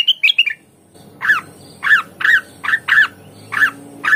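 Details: Blue-winged leafbird singing: a quick burst of high, bright chirps, then a series of short, harsh, squawky notes repeated about every half second. Faint background hum.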